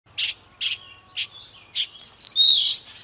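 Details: Oriental magpie-robin singing while dancing, a fired-up 'kích lửa' song: short bright chirps repeated about every half second, then rising into sweet whistled notes and a dense warbled phrase at the end.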